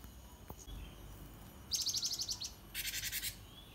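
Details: Java sparrow, recorded in Indonesia as a master/lure call for training cage birds: two quick bursts of high, clipped notes, about ten in each rapid run, short pause between, faint background hiss.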